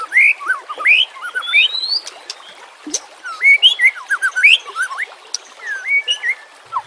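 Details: White-rumped shama singing, used as a lure and as a tutor for birds that stop singing, over a natural backdrop with flowing water: rich, varied whistled phrases, rising slurs and quick twisting notes in bursts with short pauses.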